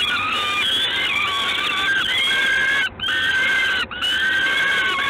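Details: Gdańsk, Poland, early June 2016, evening: a peregrine falcon gives long strained wailing notes, each held about a second then breaking off. The calls repeat roughly once a second with two brief gaps, over constant hiss.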